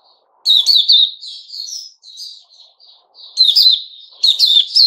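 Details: Recorded on 10 July 2021, a sooty-headed bulbul gives a brisk chirping burst, then quieter drawn-out warbles, then more loud rapid chirps.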